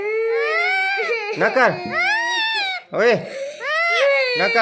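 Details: Ring-necked parrot making talking sounds: drawn-out, tonal, voice-like syllables that rise and fall, broken by short harsh bursts, indoors.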